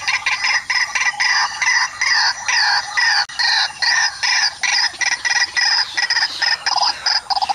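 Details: White-breasted waterhen coming to chase off another waterhen at a mirror trap during luring: loud harsh repeated notes in continuous bursts, several per second, with a steady high hiss behind.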